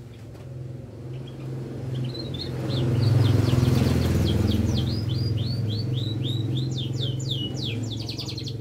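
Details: Canary in full song, a fast regular run of high trilled notes repeated about three or four per second, over a steady low engine-like hum.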